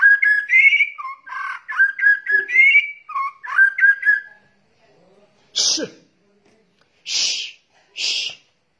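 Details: Male and female white-rumped shama lure calls: about four seconds of quick, varied whistled phrases, then silence and three harsh, noisy rasps spaced roughly a second apart.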